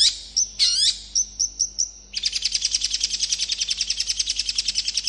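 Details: Long-tailed shrike singing to prompt other shrikes to respond: a thin high whistle, a squealing burst and short pips, then a rapid rattling run of rhythmic chattering notes.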